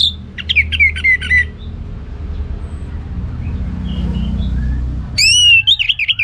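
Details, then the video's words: Captive orange-headed thrush singing in the loud, full 'ngeplong gacor' style: a quick burst of sharp, varied whistled and chattering notes that falls in pitch, a pause of low background rumble, then another bright, wavering whistled phrase. "Anis Merah Ngeplong Gacor"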